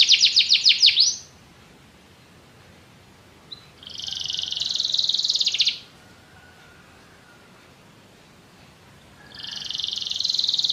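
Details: Canary song in bursts: quick sweeping notes, a pause, then buzzy high trills separated by several seconds of quiet.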